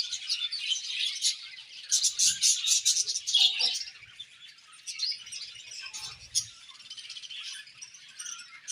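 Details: Budgerigar flock chirping, a rapid burst of loud clicking tweets early on easing into quieter continuous warbling chatter, with light thuds in the background.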